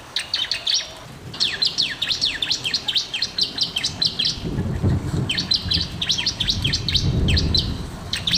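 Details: Bar-winged prinia song for prompting reluctant birds to sing: rapid series of high, downslurred sharp notes in quick succession, pausing briefly, with low rumbling noise building in the background.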